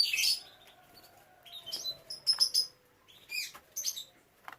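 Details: Canaries kept for breeding, with chicks: bright, sharp chirps and brief twittered bursts come in clusters, separated by short silences, over a faint steady hum.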